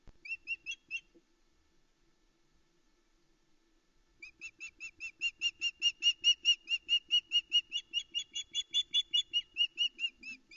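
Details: At dawn on 13 July 2019, a female osprey calls loudly from her Loch Arkaig nest, waiting for food: a brief burst of sharp whistled chirps, a silence, then a long steady train of piercing repeated yelps in a clean setting.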